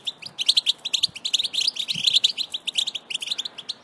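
A European goldfinch sings a fast, liquid run of high twittering notes and tinkling trills, continuous throughout with no pauses.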